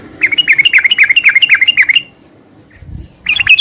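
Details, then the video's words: Rapid, bubbly garuda sambung ngeropel phrases from a sooty-headed bulbul, about four slurred notes a second for two seconds, a pause with a soft low thump, then the song resumes. "Suara kicau burung trucukan gacor garuda sambung ngeropel"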